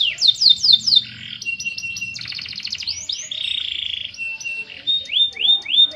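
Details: Canary in long song: a varied sequence of quick rising sweeps, a buzzy rolling trill, level whistled notes and repeated upslurred phrases, delivered fast with little pause.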